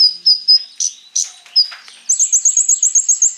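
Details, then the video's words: Konin (Crimson Sunbird) in full song, played to prompt other birds to sing. Several thin, very high chips come first, followed by short scratchy notes. A fast, even trill of high piping notes, about nine in a row, closes it. "KONIN GACOR FULL ISIAN MENTAL BAJA COCOK BUAT PANCINGAN KOLIBRI NINJA PASTI NYAUT IKUT BUKA PARUH"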